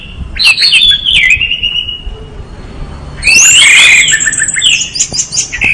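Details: Orange-headed thrush song opening with a descending warbled phrase, then a loud, rich outburst of high slurred whistles and chattering notes.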